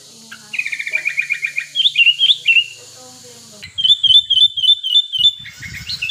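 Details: Male sooty-headed bulbul in breeding condition, wild, used to call out rivals and prompt singing: fast repeated bubbly whistled phrases, wavering up and down, in two long bursts with a short pause between.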